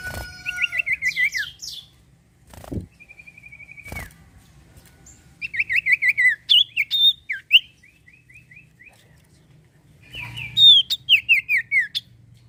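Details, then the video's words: Common iora in full, continuous song, used to prompt untrained or silent birds to sing: bursts of quick descending whistled notes, a long level trill, and sharp chips, separated by short pauses. "sirtu cipoh gacor mantuap buat pancingan burung bahan & macet bunyi"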